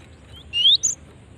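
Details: Female cinereous tit call used as a lure for other birds: a short rising whistled note followed quickly by a single very high chirp, against low background noise.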